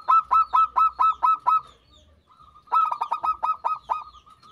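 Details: Zebra dove (perkutut) cooing used as a lure to bring on singing: two bursts of rapid, staccato, hollow coos, about seven clipped notes each, separated by a short quiet pause.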